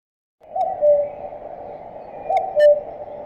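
A common cuckoo gives its two-note falling 'cu-ckoo' twice, about two seconds apart, over a steady hiss of background noise.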